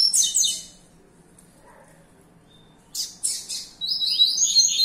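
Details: Captive-bred young Double-collared seedeater (coleiro) reserved for breeding and fibra singing competition: a rapid burst of high, thin chirps and slurred notes, a pause of about two seconds, then a longer, bright, buzzy warbling phrase.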